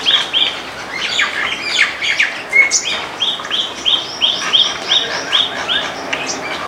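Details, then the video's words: White-eared bulbul (white-cheeked or Iraqi bulbul) singing in a backyard: after a burst of mixed squawky chirps, a steady string of rounded whistled notes repeats about three times a second, with other birds chirping throughout. "White-eared Bulbul sound"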